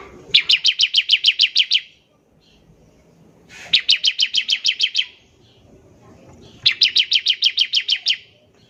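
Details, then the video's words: An actively singing bar-winged prinia gives ngebren trilling, used as a lure so other prinias start singing quickly. Three separate bursts of about nine to ten rapid, ringing high notes come at roughly three-second intervals. "ciblek semi gacor, NEMBAK NGEBREN untuk pancingan ciblek semi agar cepat bunyi"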